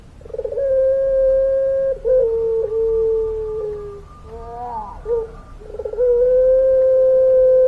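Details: Puter pelung dove singing in its long-voiced style: drawn-out, steady, flat-pitched coo notes held almost two seconds each. A slightly lower, slowly falling coo follows, then short wavering warbled notes before another long level coo.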